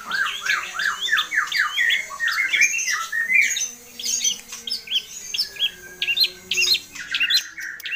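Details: Long-tailed shrike, known locally as cendet or pentet, singing a rich, varied song packed with imitated phrases: rapid chattering notes, rising and falling whistles and squawky fragments, with a steady faint hum beneath.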